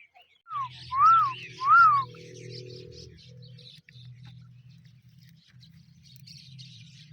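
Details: Grey francolin, locally called teetar: two loud, ringing, arched whistled notes about 0.7 seconds apart, then a steady low hum with faint chatter of other birds.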